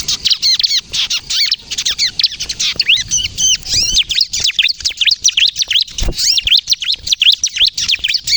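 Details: Bar-winged prinia delivering lively kejepit song, used as a lure and to coax inexperienced prinias into singing: a long, unbroken torrent of quick high chirps and arched whistles, sharp and tightly packed, with a single low thump.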